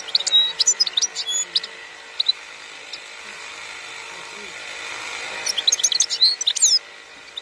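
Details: Khalwi-style European goldfinch song from 2021: a quick twittering phrase with whistled slurs, a long quiet gap of steady hum, then another lively burst of high chirps and buzzy trills.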